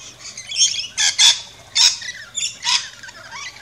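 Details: Rainbow lorikeets at a backyard feeding station in Australia, chirping and squawking: harsh, broadband screeches in irregular bursts about every half second, mixed with thin high chirps and a faint low hum.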